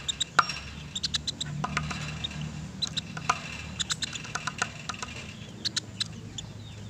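A woodpecker gives sharp, dry 'pik' notes at an uneven pace, sometimes in quick pairs, over a steady low hum.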